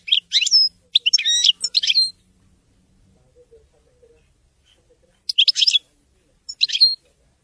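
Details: Widani song of a European goldfinch: short clusters of sharp, tinkling high chirps with a gap between them, then two brief twittering bursts near the end.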